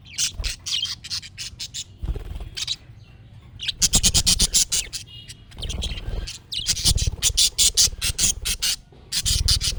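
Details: Budgerigar chatter played so a pet budgie responds: continuous rapid scratchy chirps and squeaks in dense rhythmic bursts, possibly several birds together.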